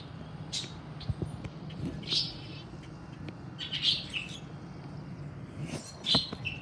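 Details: Red-winged blackbirds (Agelaius phoeniceus) give short, sharp, high chirp calls, one every second or two, over a steady low rumble and scattered clicks.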